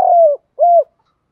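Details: Spotted dove, male and female calls used to lure and train birds: two low, smooth hooting coos, the first longer and slightly falling, the second short and arched, then silence.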